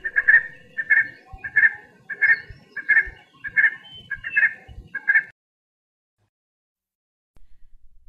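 Red Spurfowl gives a run of about eight harsh, cackling notes, roughly one every two-thirds of a second, then falls silent.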